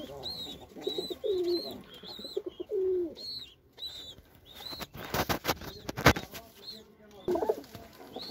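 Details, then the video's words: Indian white Lokkha pigeon coos in two dipping, gurgling phrases, then a burst of clattering noise, perhaps wingbeats, while high, arched chirps from other birds continue overhead. "White Beautiful Lokkha pigeon | Indian white Lokkha | Pigeon Sound"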